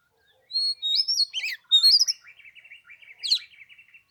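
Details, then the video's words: Oriental magpie-robin, caged, singing on a cold 15-degree third day of Tet: clear rising whistles and a downslurred note, then a long buzzy, rattling trill fading out. "Chòe than mùng 3 tết cái lạnh 15 độ chơi 1 tiếng chim k xuống đánh"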